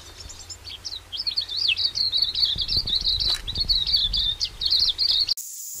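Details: Silvereye (tauhou) in New Zealand, recorded in 2019: a rapid, continuous run of thin, high chirps and twittering notes for about five seconds, with faint low rumbling and a brief thud in the background.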